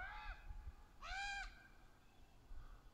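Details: Raven calls among juveniles and adults in trees: a faint caw followed by one long, loud, drawn-out harsh caw lasting about half a second.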